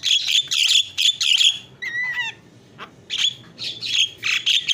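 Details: Isian-style Javan myna singing, meant for tutoring and prompting other birds: loud harsh squawky bursts, a short descending whistled phrase in the middle, then more grating chatter.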